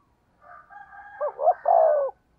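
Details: A single phrase from a spotted dove used as a decoy, in the 'giọng thổ' voice: faint rising hoots build into two sharp notes and end in a long, full, steady coo, with no other sounds.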